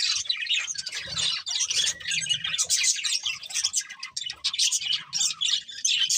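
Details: Several budgies sing while eating, a dense, continuous chatter of high twittering, squeaky chirps and scratchy notes with brief gaps, plus faint low thumps from the birds moving about.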